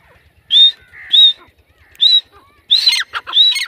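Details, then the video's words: Female grey francolin, or teetar, in jungle: shrill high whistled notes repeated at uneven intervals, the later ones rougher and doubled with harsh broken squeals, over faint low ticking. "Grey francoline | Teetar Ki Awaaz | Female teetar sound | Dakhni Teetar"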